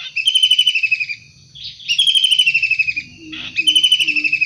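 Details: Long-tailed shrike from the wild, loud and persistent, uttering three long rasping screeches of rapid pulses with short gaps, accompanied by faint low notes and a steady high background whine.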